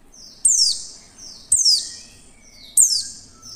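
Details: Female Oriental white-eye call, used to coax other white-eyes into opening their beaks and singing: bright, shrill downward-slurred notes repeated roughly every second, each preceded by a softer high whistle, with a few faint lower tones.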